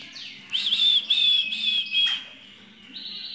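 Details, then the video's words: Grey-cheeked bulbul (cucak jenggot) in lively ngepik-style song: a long, slightly wavering high whistle of about one and a half seconds, broken by short breaks, then a fainter steady tone at the end. "Cucak jenggot gacor ngepik sampai konslet"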